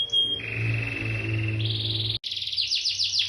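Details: Agitated canary song: a sustained buzzy rolling trill that steps up in pitch, a brief break, then a series of quick descending sweeping notes, over a low background hum.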